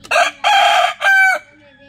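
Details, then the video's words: Rooster crowing in the morning: a loud, harsh, broken crow in three bursts, a short note, a long rasping middle and a clipped end, with a faint voice in the background. "Beautiful Rooster Crowing in the morning"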